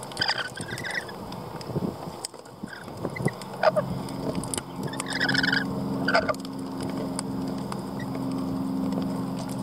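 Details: Lorikeets screeching in harsh, buzzy bursts at the start and again around the middle, separated by quieter stretches with clicks and a constant low droning hum.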